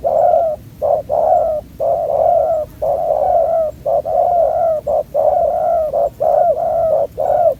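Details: ['Young, aggressive spotted dove at a ground decoy trap, neck collar not yet complete: a rapid run of paired coos, each short note followed by a longer hollow one, repeated over and over.']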